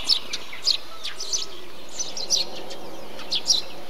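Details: In a bee-eater colony, a Eurasian tree sparrow makes frequent clipped chirps, about eight spread across four seconds, mixed with busy overlapping chatter from other birds and a steady high-pitched hiss.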